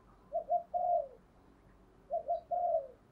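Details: Spotted dove coos meant to lure wild doves: two quiet, clean phrases, each of two short hoots and a longer falling coo, separated by a pause, with faint low background hum and a click at the end.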